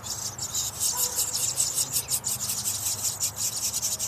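House wren nestlings beg with a steady, high, hissing rasp in uneven pulses, about one surge a second, with no other sounds.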